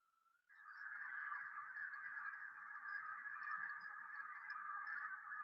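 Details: Sandhill cranes (Antigone canadensis) on the Platte River near Kearney, Nebraska, in the morning: a dense flock chorus of countless rolling, trumpeting calls overlapping into one continuous roar as the birds lift off the river in a mass exodus.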